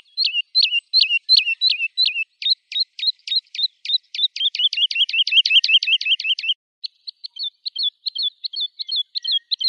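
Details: Woodlark singing looped, downslurred notes, then a long accelerating string of quick high notes that quickens to a fast roll before trailing into softer, scattered notes. Background is silent.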